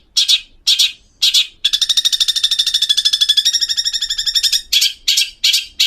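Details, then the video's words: Long-tailed shrike recording intended to get untrained birds singing: three spaced rasping squawks, then a long fast grating chatter, ending with more harsh rasps at roughly half-second gaps. "Masteran cendet agar burung bahan cepat bunyi"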